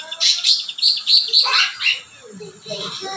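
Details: Cucak ranting delivering rapid high chirps about four per second, then a descending harsh phrase, fading into quieter background music and low sounds.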